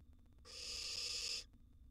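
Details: Wild barn owl nestling in a monitored nest box, swallowing a huge gerbil; one harsh, breathy hissing screech lasting about a second, steady and noise-like, with quiet background before and after.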